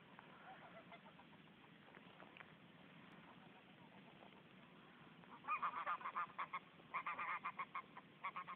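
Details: During courtship at Reserva Ecológica Plottier, a male domestic goose (Anser anser) courting a female to form a pair gives loud nasal honks in quick bursts, about four a second, in two runs after a quieter, murmuring start.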